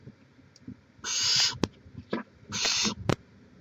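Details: Barn owl at a nest in Chula Vista, California, filmed by live camera in May 2017, gives two loud breathy hisses about half a second each, separated by sharp clicks and taps.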